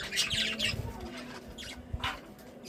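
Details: Budgies, described as happy, give a brief run of bright chirps followed by a couple of softer squawky notes and low taps, over a faint hum.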